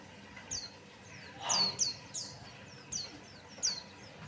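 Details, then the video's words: White-eye song played as a lure so other birds will sing: a fast series of high, sharply downslurred whistles with fainter echoing notes between, plus a short broadband rustle in the middle. "pancingan Burung pleci Buxtoni"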